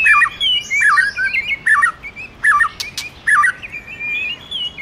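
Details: White-rumped shama song, stimulated by a female: repeated wavy whistled phrases swooping between low and mid pitch, with higher thin notes above and a couple of sharp clicks near the three-second mark.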